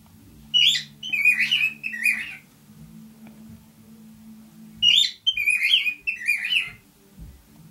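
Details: Male cockatiel kept indoors with a female, singing two matching phrases of three to four quick whistled, warbling notes about four seconds apart, with steady low household hum between.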